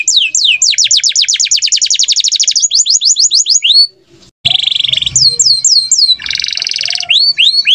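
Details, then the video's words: Canary song, a kenari gacor bird with a standard cengkok singing style from Indonesia: fast trills of rising notes, then downward sweeping whistles, a brief pause near four seconds, then a buzzy rattle and more sweeping whistles. "KENARI GACOR || 8 MINUTES FULL OF KENARI GACOR GOOD VOICE"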